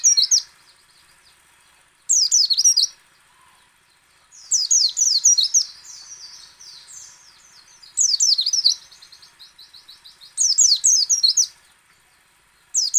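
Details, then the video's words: White-eye singing in ngecal, ngalas and nembak styles, meant to draw other white-eyes into song: high, sharp twittering phrases of about a second recur roughly every two to three seconds, with quieter rapid chatter filling the gaps. "PLECI ngecal, ngalas dan nembak AMPUH memancing pleci buka paruh"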